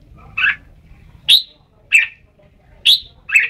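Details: Red-whiskered bulbul singing: a husky chattering note opens, then alternating bright sharp notes and rougher, warbled notes at irregular intervals, five phrases in all, over a faint low hum.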